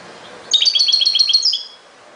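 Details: European goldfinch singing a single fast, jingling phrase, a run of roughly a dozen high, bright twittered notes lasting about a second, preceded and followed by soft background hiss.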